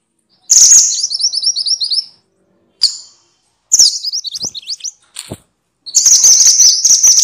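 Minivet giving bursts of thin, high, rapid chirping trills in several fast phrases separated by brief pauses, with a few sharp clicks between them.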